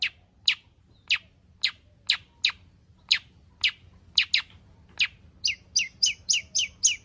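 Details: Long-tailed shrike song of the 'full isian' style, used as a lure to make other shrikes sing. Sharp, high chips come roughly every half second, then a quicker run of squeaky slurred notes.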